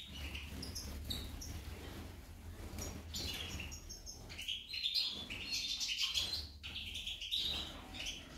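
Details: Female goldfinch singing a busy, twittering run of short high chirps and quick slurred notes, uneven in rhythm, over a steady low rumble of background noise.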